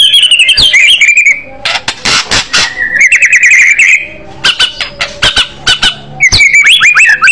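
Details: White-rumped shama with an aggressive fighter style: loud twisting whistled phrases alternating with harsh noisy bursts and rapid chattering runs.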